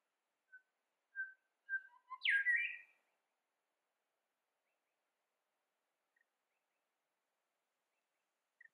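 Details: A female Grey Shrike-thrush (Colluricincla harmonica) chasing off a competitor gives four short, clear whistled notes, then a louder harsh, sweeping phrase, and two faint notes after a pause, in an otherwise quiet setting.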